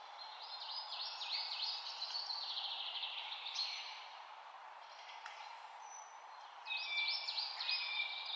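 Taiwan blue magpie giving harsh, grating chatter in a steady rush of high scratchy notes, with a brief clear whistle near the end and a low steady hum behind.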